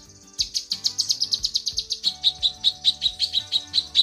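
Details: Female lesser green leafbird calling for the male. A quick stuttering run of buzzy high notes gives way to slower, clear sharp chips about four a second. Faint low tones below.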